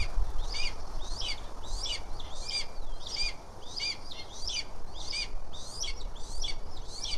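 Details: At a wild leucistic red-tailed hawk nest in Tennessee, around the first feedings of a newly hatched chick: short high chirping notes repeated roughly every half second, over steady low wind rumble.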